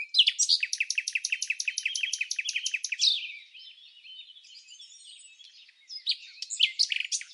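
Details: Red-backed fairy-wrens interacting in the non-breeding season at Samsonvale, Australia, give a long run of loud, evenly spaced, sharp high notes for three seconds, a quieter rambling twitter, then another burst of chips.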